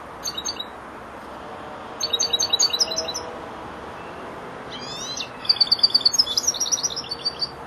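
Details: European goldfinch aged four months, beginning to complete its song phrases: three bursts of quick, jingling high twitters, the last longest and containing a rapid trill, over faint hiss.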